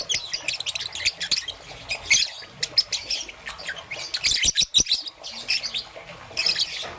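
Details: Young peach-faced lovebird, green and yellow, chirping in the morning with sharp, high, grating notes in uneven clusters and some short clicks between them.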